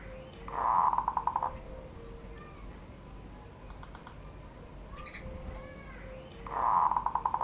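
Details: Caged zebra dove from Serang, Banten, Indonesia, singing the classic rare surung gdor style below a door; two bursts of rapid throbbing coos about six seconds apart, with faint clicks and a steady background hiss.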